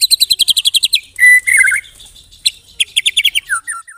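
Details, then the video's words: Singing white-rumped shama with canary and cililin fill-ins: a quick rattling trill, a harsh buzzy chatter, then another rapid trill ending in two short down-slurred whistles. "MURAI BATU ISIAN KENARI, CILILIN SUPER NEMBAK"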